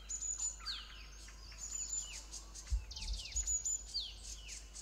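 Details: Parent Green-backed tits in distress at their nest-hole while a yellow-throated marten devours the chicks; two bursts of very high thin notes and falling slurred chips, with a brief knock midway.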